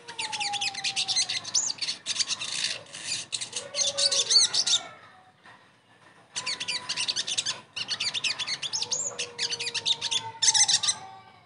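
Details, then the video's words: Sogon song used as a therapy sound to get a silent caged bird singing again: dense bursts of high, fast, buzzy warbling, interrupted by a short pause, with lower drawn-out whistles underneath. "TERAPI SOGON MACET langsung GACOR DENGAR PANCINGAN INI"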